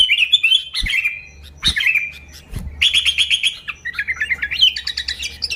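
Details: Sooty-headed bulbul singing loudly, a genuine, unmixed song to lure other bulbuls; warbled liquid phrases give way to fast rippling runs of bright notes, with occasional knocking clicks.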